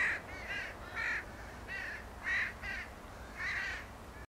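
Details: Series of about seven raspy caws from Northwestern crows at Beluga Slough Trail, Homer, Alaska, behind the Alaska Islands and Oceans Visitor Center, delivered in an irregular rhythm roughly every half second to second, against faint low background noise.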